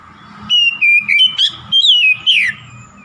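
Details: Rival-provoking song of an oriental magpie-robin: a series of clear, level whistles and short upward flicks, each about a quarter second long, ending in a strong descending slur, over a faint low rumble.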